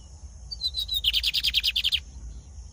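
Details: Singing a lot, a brown-plumaged Lined seedeater gives a few thin lead-in whistles, then a rapid series of about ten clipped, buzzy notes repeated at an even pace before stopping abruptly.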